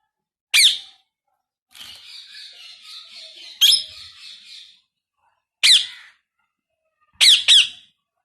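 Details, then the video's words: Pet Indian ringneck parakeet, new to its owner, in its first talking attempts: sharp high screeches come in bursts, separated by a stretch of buzzy warbling chatter lasting about three seconds. "My New Ring Neck Parrot first time Talking"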